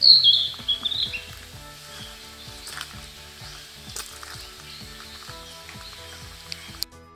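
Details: Narcissus flycatcher around Abashiri, Hokkaido, in early May: a bright, high warbled phrase in the first second, played slowed down, then fainter notes over soft background music.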